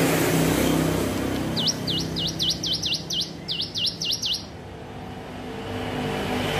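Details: Hill prinia learning its song gives a short burst of about ten high swooping notes, each dropping then climbing, delivered rapidly in the middle, with quiet background noise before and after.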